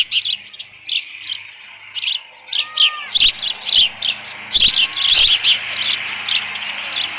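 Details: Leftover fish at a Dunrovin Ranch osprey nest, 13 June 2018, near 11:37 AM. An osprey gives spaced high chirps that build into louder, rapid clustered piping, with a faint lower whistled note midway.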